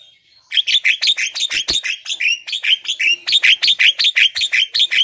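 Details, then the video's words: Javan myna in energetic full song, played to prompt quiet, sluggish mynas to sing: a fast run of sharp, bright chirps and whistled notes, roughly three per second, after a brief high whistle at the start. "pancingan jalak kebo"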